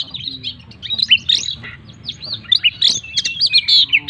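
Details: Full isian song of a kacer, or Oriental magpie-robin: a tumbling stream of varied whistles, twitters and scratchy notes that grows denser and louder, with low background hum.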